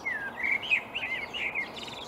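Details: Marsh warbler singing in reeds on an early May morning in 2020 at Upplands Väsby, Sweden: a short run of bright whistled and warbled notes, sliding and looping up and down, with a faint background hiss.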